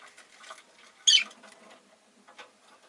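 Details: Rosy-faced lovebird giving a single sharp, harsh chirp about a second in, set among soft scratchy ticks and light rustling, with a faint steady hum behind.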